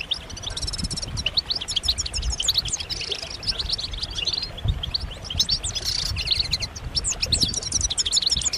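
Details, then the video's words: A crowd of European goldfinches trades excited calls and twitters, including mating calls meant to trigger singing in males. The high, tinkling stream is broken by brief dry buzzy trills, over a steady low background noise. "بتبتات جماعية رهيبة للحسون فعالة في تحفيز الحسون على التغريد والهيجان"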